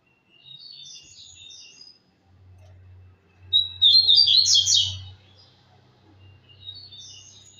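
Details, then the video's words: Double-collared seedeater, a tournament-style songbird, singing soft high twittering phrases that build into a loud rapid burst of sharp chirps midway, then trail off into fainter warbles, over a steady low hum. "Coleiro tui tui lindo"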